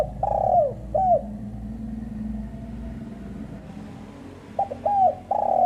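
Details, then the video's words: Female spotted dove calling with throaty, falling coos. A long slurred note and a short one open the clip. After a quiet gap with a low hum, the phrase returns as clipped notes and a sustained final coo. "burung tekukur betina"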